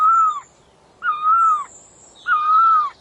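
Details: Three loud, pure whistled notes from the bird called puj daum (นกตองล่อ), each about half a second, level with a slight wobble before dropping, spaced roughly a second apart, faint high chirps in the background.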